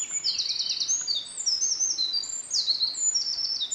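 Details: Eurasian wren beside a stream on 24 May 2013 pours out a loud, rapid song of high trills and sharp twittering notes without a pause, competing with a Japanese thrush singing in the distance, over a soft background hiss.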